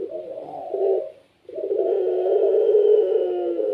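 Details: Caged Barbary dove of the puter pelung type in full song, meant to draw other doves into calling: one short low coo, a brief silence, then a long steady purring coo held over two seconds.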